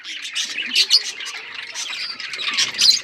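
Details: Australian parrots chattering in a crowd, scratchy squawks and quick chirps layered over one another and rising in short bursts.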